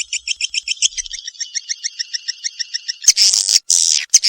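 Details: Swiftlet from Kalimantan: a steady run of short, high chirps, about six each second for three seconds, then harsher, louder chattering bursts.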